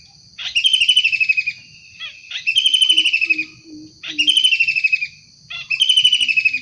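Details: Long-tailed shrike heard in the wild: four strident, grating calls that fall slightly in pitch, one every 1.6 seconds or so, with soft low tones between them.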